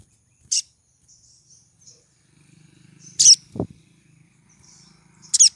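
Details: Pied triller hen in breeding condition calling to attract a male: three shrill, high chirp bursts spread across the recording, soft twittering between them, a low droning hum and a single dull thud near the end.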